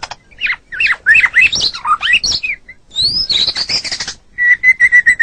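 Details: White-rumped shama, a caged songbird, pouring out fast twisting whistled phrases, a high rising sweep, then a steady run of identical short notes.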